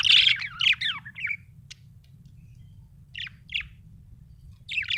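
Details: Pet budgerigar chirping in quick warbled, bubbling bursts with falling notes, followed by a pause and shorter scratchy chirps, then a final burst, over a low steady hum.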